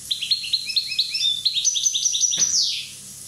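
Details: A Corsican European goldfinch, one year old, delivers a fast, continuous twittering phrase of bright, high notes in a quick stepping pattern, ending in a sharp descending buzzy sweep.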